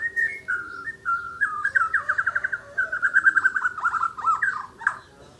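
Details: Asian brown flycatcher (mure bordan) singing actively: a continuous run of sweet chirps and quick warbled trills, rising and falling in mid pitch, with louder rapid notes in the middle. A steady low hum runs underneath.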